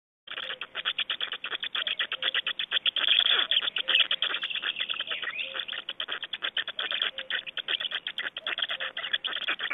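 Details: Black storks at a nest in Estonia, feeding and changeover, 25 May 2012 at 9:29. A dense, rapid train of harsh, rasping pulses runs almost continuously, broken by short gaps.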